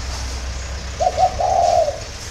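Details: One cooing phrase of a spotted dove at dawn in Vietnam: two short notes followed by a sustained, slightly falling coo, with a low rumbling background.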